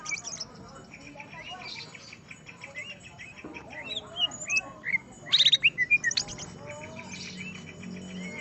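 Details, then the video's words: A greater green leafbird sings against a rival, starting with scattered soft chirps and slurred whistles, then a loud burst of rapid sharp notes near the middle and more twittering afterward. "cucak ijo Akhirnya dapat LAWAN tempur.."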